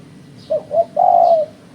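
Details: Lure recording of a spotted dove for bird trapping: a pair of brief coos leading into one sustained, smooth coo, with soft high chirping faintly behind.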